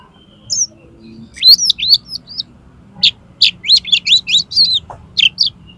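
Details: Oriental magpie-robin song, a recording meant for tutoring and prompting contest birds to sing: bright, varied whistled phrases, high sweeping notes and a quick run of clipped, repeated syllables, with a faint low hum underneath.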